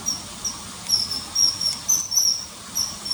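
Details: Common kingfisher recorded along a river in early September 2020: loud, shrill, drawn-out whistled notes, about two per second, some doubled, clearly above a soft hiss.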